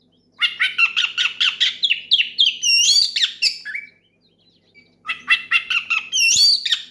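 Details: Oriental magpie-robin in full, loud song meant to call out a rival and set other magpie-robins singing: rapid runs of harsh, chattering notes mixed with rising whistles, two bursts split by a short pause.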